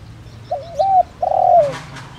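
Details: Spotted dove kept as a decoy to draw in wild birds, singing in the 'đồng rặc' voice: a wavering two-note coo followed by a drawn-out raspy coo that slides downward. A soft rustle comes at the end.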